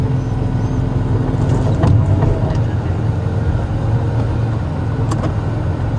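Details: A steady, low vehicle engine rumble fills a sunrise safari drive, with a few faint clicks and knocks and no animal voices.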